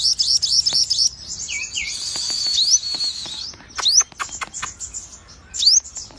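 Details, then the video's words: Sogon song mixing a fast high trill with a brief lower two-note whistle, then a buzzy rattling passage and a few sharp rising upslurred notes. "burung sogon warna unik dan gacor"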